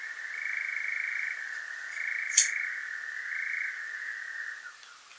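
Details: Nocturnal churr of a European nightjar in Devon, South West UK, recorded through a parabolic microphone on a Zoom H5; a continuous dry rattle with gentle pitch shifts, one sharp click midway, tailing off at the end.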